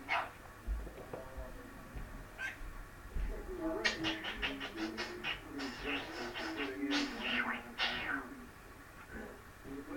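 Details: Pet parrot indoors shouting mimicked words such as "Mom" and "bye-bye" over and over, a burst of sharp, harsh, loud syllables about two per second through the middle, with quieter squawks before and after.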